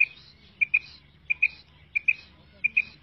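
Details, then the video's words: Female quail calling, a sound used in quail trapping and hunting: sharp high notes given in close pairs, each pair repeated about every two-thirds of a second over a faint low hum. "Female Quail Calling karkari Maadi Ki Awaz"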